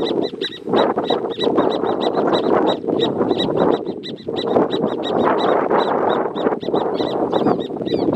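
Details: Pair of horneros marking territory in the private protected natural area Amarras del Gualeguaychú; fast bursts of loud, sharp repeated notes with ringing overtones, almost continuous, over a steady rushing background noise.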